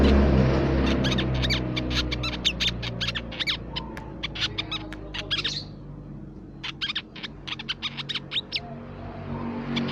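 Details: Crimson sunbird, nectar-feeding bird of shrubs, plantations and forest, recorded as a lure and tutor song for songbirds; rapid bursts of high, thin chirps and short trills, pausing near six seconds, over a steady low droning hum.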